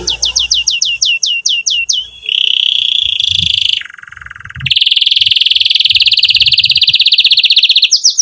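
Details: Singing canary in lively chirping song, aimed at teaching young canaries and reviving birds that went quiet. Around ten quick descending chirps lead into sustained buzzy trills that shift pitch, ending in a long, very fast roll.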